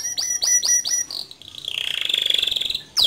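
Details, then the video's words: Singing male canary, intended as tutor song for young birds: four falling whistled notes spaced evenly, then a long high rattling roll that builds in loudness. "Suara Kicau Kenari Jantan Gacor Ngerol Nembak Cocok Dijadikan Masteran Kenari Muda"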